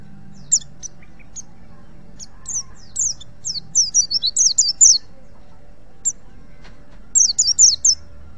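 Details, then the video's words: White-eye from Pacitan, Indonesia, a wild bird recorded as tutor song for other white-eyes, gives scattered single high chirps, then a quick run of sliding twittering notes near the middle and a final short burst, with a low background hum. "pleci pacitan ngalas untuk masteran pleci apapun.auto nyaut"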